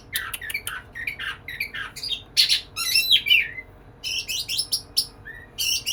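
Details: White-rumped shama kept in a cage, singing to court a female: quick bursts of sharp, harsh and whistled notes, broken by short gaps, with a few clear slurred whistles toward the end.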